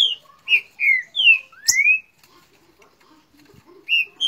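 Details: A Green-winged Saltator in Rio de Janeiro, in a noisy exchange with the neighbour's bird, sings a rich string of clear, slurred whistles, several falling and one rising sharply. It pauses briefly, then starts again.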